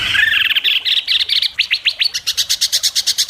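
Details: In an Indonesian contest before judges, a white-rumped shama sings sharp besetan: rising chattering notes climbing into a rapid series of clipped high chirps, growing faster and higher toward the end.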